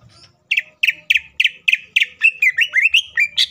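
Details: Green leafbird, kept as a cage bird and used as a lure to spur other leafbirds into song: a run of sharp repeated chips about three per second, then rapid slurred whistles sliding up and down, quiet low hum beneath.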